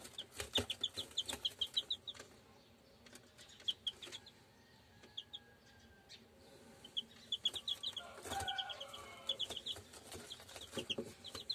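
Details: German Shamo chicks giving bursts of rapid high peeps, with quieter gaps, against frequent scratching and knocking noises and a brief flutter near the middle.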